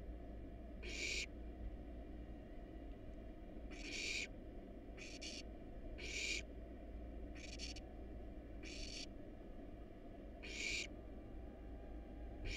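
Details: Wild barn owl nestlings in a monitored nest box, being fed and very hungry; harsh, breathy hisses of about half a second, repeated every one to two seconds over a steady low hum.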